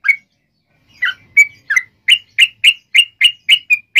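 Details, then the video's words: Lure song of a sooty-headed bulbul, for drawing other bulbuls into song: a few scattered chirps, then a brisk regular string of bright short notes. "SUARA trucukan gacor ROPEL PANJANG pancingan trucukan agar bunyi"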